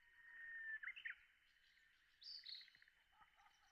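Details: Japanese bush warbler singing at sunrise over the Hoshitoge rice terraces: a long, steady whistled note that breaks into a quick rising-and-falling flourish, followed by softer higher phrases, over a constant high buzzing background.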